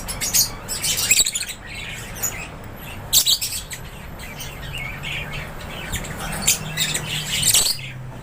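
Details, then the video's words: Lovebirds chirp in an aviary, sending out loud bursts of piercing, high squeaks and twittering roughly every second or two, with softer chatter and a low hum between the bursts. "LOVEBIRDS CHIRPING SOUNDS"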